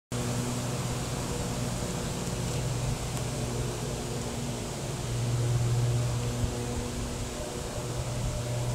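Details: Steady low mechanical hum, like air conditioning or passing traffic, with constant broadband hiss and no animal voices.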